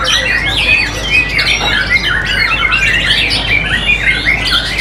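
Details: Competition white-rumped shama with strong character and a very loud, powerful song, recorded live; dense rapid stream of varied whistled and slurred notes rising and falling, continuous and loud throughout.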